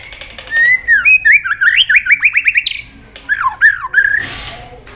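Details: White-rumped shama (murai batu) in energetic gacor song used as a lure for other shamas: slurred whistles near 2k, then a fast burst of rising notes, more swooping whistles and a brief noisy rasp.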